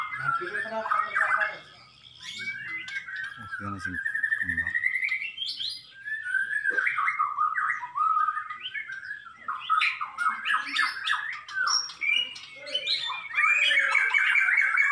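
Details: White-rumped shama (murai batu) tutor recording: long, varied song of slurred whistles, rapid trills and chattering runs, mostly continuous, with brief low thumping sounds in the middle and a dense trilled passage at the end.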